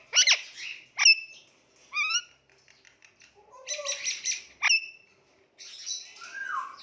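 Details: Talking Indian ringneck parakeet making cute noises as a pet. The sounds are mixed: sharp high squeaks, a quick rising whistled trill, buzzy chattering bursts and a low sliding note, then a long descending slurred call at the end.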